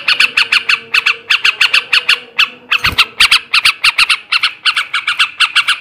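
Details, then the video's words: Chattering song of a male yellow-vented bulbul, ngebrem ngekek garuda style, for stimulating breeding: rapid harsh notes in groups of three or four, about three per second overall, with one low bump in the middle. "kicau suara burung trucukan jantan ngebrem ngekek garuda"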